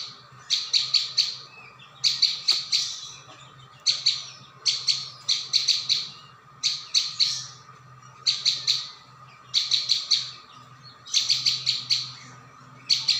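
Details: Bursts of bright, rapid chirps from a prinia, three to five notes per burst, repeating almost without pause across the lure track; low hum in background.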